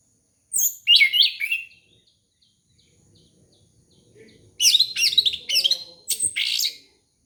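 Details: Orange-headed thrush song for luring young birds: a quick burst of high, squeaky warbled notes, a quiet gap, then another run of five or six sharp, tumbling phrases.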